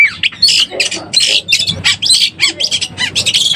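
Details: Excited Oriental magpie-robin, played as a lure for birds in breeding condition: short bursts of harsh, scratchy chirps and squawky notes in quick succession, separated by brief pauses, over a faint low background hum.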